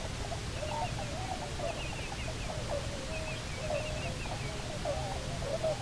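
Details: Cahow pair back on Nonsuch Island for nesting, October 2018. Busy, continuous squealing and twittering calls with higher chirps above, over a low constant roar.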